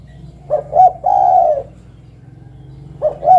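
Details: Spotted dove calling: two short coos, then a long, soft, level-to-falling coo, followed by the start of the next phrase. A steady low hum runs underneath throughout.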